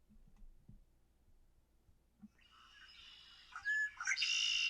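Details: Red-winged blackbird in eastern woodland: after two quiet seconds, a gurgling, rasping 'conk-a-ree' (conquery), a few clipped notes, then a harsh, buzzy trill.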